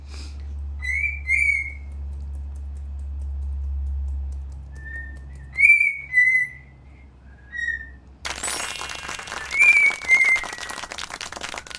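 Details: Pet cockatiel practising a song it learns slowly one note at a time, giving short rising-and-falling whistled phrases separated by pauses, with a burst of rustling noise in the second half.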